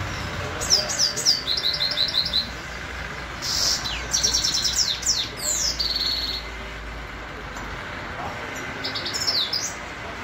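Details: In Khujand, a Grey-crowned goldfinch sings in bursts of bright, high twittering and ringing trills, separated by short quiet spells, over faint low background hum.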